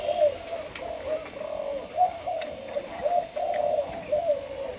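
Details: Young Malaysian spotted dove being trained as a decoy bird. It gives a continuous flow of low, mellow coos, some stretched and some clipped, with small emphatic peaks.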